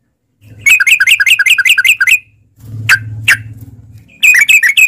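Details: Yellow-vented bulbul in long rapid song to prompt caged birds: a fast chattering burst, two single sharp chirps over a low humming noise, then another quick flurry.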